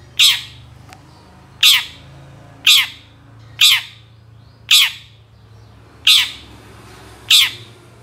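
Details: Long-tailed shrike calls used to lure other shrikes to sing: loud, hoarse squawks with a dropping tail, given about every second in an even rhythm, with a soft low hum beneath.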